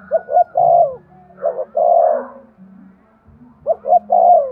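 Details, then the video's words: Repeated cooing of a spotted dove, meant to encourage breeding: three phrases of a brief double hoot leading into a longer mellow coo, with a pause before the last. "Tiếng chim cu gáy thúc gù cực đỉnh/ chim cu gay kich boi hieu qua"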